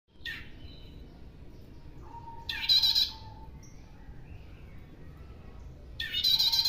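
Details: Bar-winged prinia lure call: two loud, harsh, buzzy bursts about three and a half seconds apart, each a dense rasping chatter. Faint thin whistled notes from other birds and a low background rumble fill the gaps.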